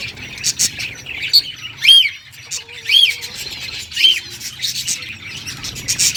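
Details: Pet budgies singing happily: scratchy high chatter broken by short clear whistled notes that rise and fall, about one each second, with harsh squawky bursts between them.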